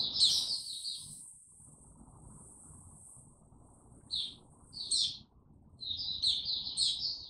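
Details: A white-eye (Mata Puteh) warming up to sing, recorded 6 March 2022: a short high warbled burst, a long thin high note, then scattered chirps that build into renewed twittering, with faint low rumble behind.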